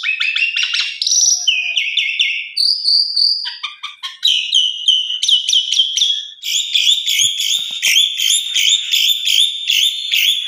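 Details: Asian pied starling, a trigger song meant to be played during the breaking of the fast to make caged birds sing, with rich varied fills: a busy run of whistled, chattering and buzzy phrases, then fast repeated high metallic notes.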